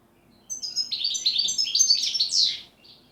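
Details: European goldfinch song, pletivo ziju u ziju stanka style: about two seconds of quick, high, warbling twitters running into a harsh, buzzy closing note, then a faint trailing chirp.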